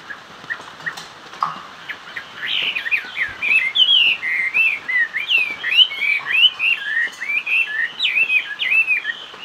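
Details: Chinese hwamei pouring out its hót xòe song: after a few soft notes, a long rich stream of fast, varied whistles and warbled slurs, loud and continuous.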